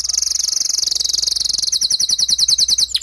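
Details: Singing male canary encouraging a female to nest-build: a fast, even high trill held for over a second, shifting into slightly slower pulsed notes, over a faint low hum.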